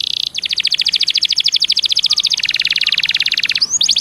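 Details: Canary singing as a lure to make other canaries sing: long rapid rolling trill of clipped notes, about twelve per second, dropping to a lower pitch midway, ending with rising whistled notes.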